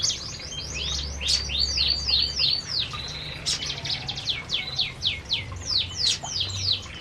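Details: Several canaries eating in an aviary: fast series of high downswept chirps, about three to four each second, with a low hum in the background.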